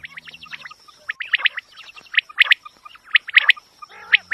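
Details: Hunting-lure recording of quail: a busy run of sharp, clipped high notes in quick twos and threes, growing louder midway, with a short low rasp near the end and a faint steady whine behind.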